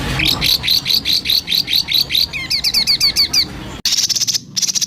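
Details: White-rumped shama song used as a training recording for songbirds: rapid series of bright whistled notes repeated about every quarter second, shifting into a faster, higher phrase of sharp upslurred notes, then a dense buzzy burst.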